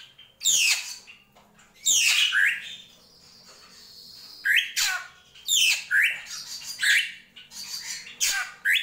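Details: Drongo singing the krantil gentolang style with scratchy, broadband bursts and sharply rising slurred notes in irregular groups, separated by a quieter pause midway.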